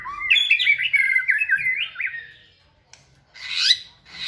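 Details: Caged white-rumped shama singing energetically in a flight cage during fitness training: a fast run of clear whistled and warbled phrases, then a pause and a harsh, noisy burst near the end.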